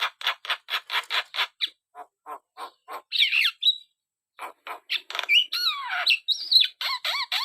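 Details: Vigorous Javan myna singing opens with a regular series of short harsh rasps, then wavering squeals, slurred whistles and scratchy chatter after a short pause.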